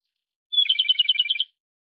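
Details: A single song phrase of the Japanese robin: a pure whistled opening note running straight into a rapid, evenly spaced trill about one second long, with a clean, quiet background.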